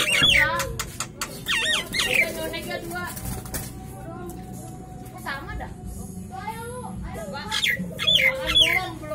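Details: A Nias hill myna in the afternoon gives loud, sharp whistles and harsh sweeping notes in short bursts, then falls quiet before calling again, over a steady low hum.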